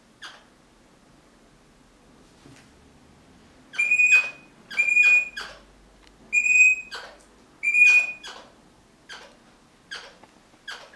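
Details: A crimson rosella, apparently guarding a sock, gives four loud, harsh whistled notes about a second apart, mixed with rasping chatter, then a few sharp clicks in a quiet room.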